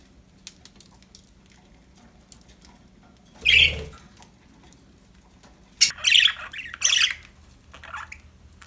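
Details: Happy budgerigars kept as pets, a few short harsh chirps with long quiet gaps, one squawk then a quick cluster of three rasping notes near the end.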